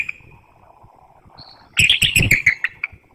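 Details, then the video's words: Bald eagle pair at a nest in Hanover, Pennsylvania, before dawn on 12 March 2019, a vocal exchange while the female incubates eggs, 32° F with wind; a burst of high, rapid chittering notes follows a thin whistle. "Vocalizing at the Nest"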